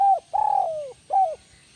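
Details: Part of a spotted dove phrase in the 'kuk 1 melambung' style: a short coo, a long drawn coo gliding down in pitch, then another short falling coo, clear and close.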